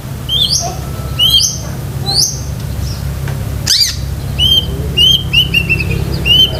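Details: Long-tailed shrike in chatty song with filler phrases, for training pet shrikes; bold whistles rising steeply then flattening, a harsh descending burst midway, then repeated level whistled notes over a low hum.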